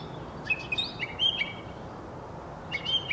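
A mockingbird sings bright, varied chirps and slurred whistles in two quick bursts separated by a pause, over a low steady background hum.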